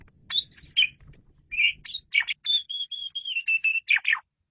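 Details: Energetic jalak suren (Asian pied starling) masteran song: chattering notes followed by a run of level, repeated whistles and a harsh closing flourish.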